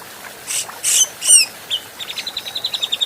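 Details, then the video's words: Grey-cheeked bulbul, adult, recorded for bird training: three harsh, grating rasps, then a single chip and a quickening series of short, bright notes. "Masteran Burung Cucak Jenggot"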